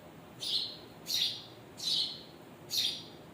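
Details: Parent birds with chicks give clear, sharp high chirps, four in just over three seconds at roughly even spacing, each short and bright, with soft hiss between them.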